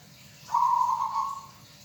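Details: Local zebra dove, a hobbyist's bird, giving a single steady whistled coo of about one second, even in pitch and gently wavering, against a quiet background hum.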